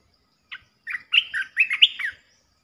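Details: Red-eyed bulbul, a resident territory holder, calling: one lone note, then a quick tumbling run of about six bubbly, warbled notes lasting under two seconds, against a quiet, clean background.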